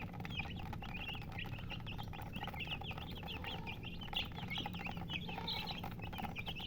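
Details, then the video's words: Chickens described as colored murgi hens chirp continuously, with rapid, high, slurred peeps from several callers overlapping against a low electrical-sounding hum. "silly chicken chirping sounds with murgi hen color chicken"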